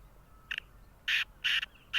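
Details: Black francolin, the Sindhi nassal tetar, calling with four harsh, scratchy notes. A brief first note is followed by three louder, longer grating bursts spaced about half a second apart, against a quiet background.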